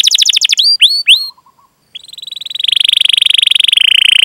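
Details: Canary song meant to lure other canaries into song: a quick trill, three sharp upswept whistles, a short pause, then a smooth, steady rolling trill that fills the second half.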